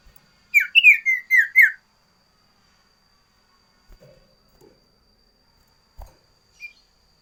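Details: Loud, varied sooty-headed bulbul song used as a tutor for common ioras and a lure for wild birds: one brief run of five downslurred whistles, followed by near silence with a few faint clicks.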